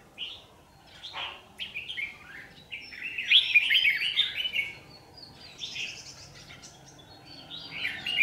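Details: Red-whiskered bulbul lure bird singing at a trap on 27 January 2019; clear whistled and warbled phrases in rapid clusters, a dense loud burst midway, then scattered brighter notes with quiet gaps.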